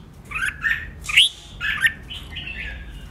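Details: Red-whiskered bulbul trained for intense competitive singing, roused to sing out: short liquid whistled phrases, warbling and slurred, in bursts about every half second with brief gaps between them.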